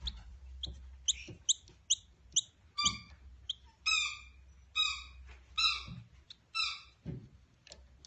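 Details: Two hand-raised noisy miner chicks being taught to self-feed: repeated short, high, nasal calls with a rich harmonic ladder, roughly one per second, among scattered clicks and low background hum.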